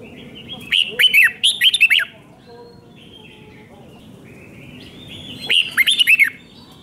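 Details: Red-whiskered bulbul from Thailand giving its doubled five-syllable song for young birds to learn: a long run of rapid, clear, bending whistles, a quiet gap, then a second, shorter phrase of similar notes.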